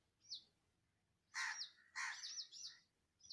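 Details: Wild birds singing in Andhra Pradesh, India: a small sharp note, then two loud bursts of chirps and rapid high down-slurred tweets, with a final short chirp, over a quiet background.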